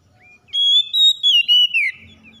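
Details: Oriental magpie-robin in a 'gacor' song meant to stir reluctant birds into singing: after a soft lead-in, loud clear whistled phrases hold steady at high pitch, then slide downward in a long bright sweep.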